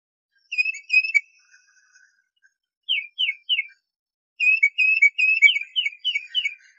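A tufted titmouse whistles clear, slurred notes in quick runs: a few short phrases, a brief pause, then a longer rapid series of about eight whistles.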